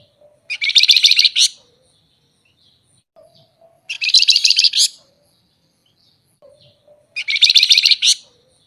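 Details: Flamboyan songbird singing in a lively style, with mixed song content and flute-like and rattling song styles. Dense, buzzy bursts of rapid notes about one second long, repeated roughly every three seconds, with quiet soft notes between bursts.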